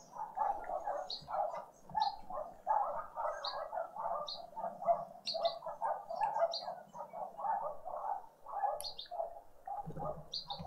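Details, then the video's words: Green woodhoopoes (Phoeniculus purpureus) in a suburban garden in Pretoria, South Africa, out on a noisy spring Sunday morning family breakfast, keep up a dense, continuous cackling chatter of rapid nasal notes, with thin high chips from other small birds. "Green woodhoopoe (Phoeniculus purpureus) out on a noisy spring Sunday morning family breakfast"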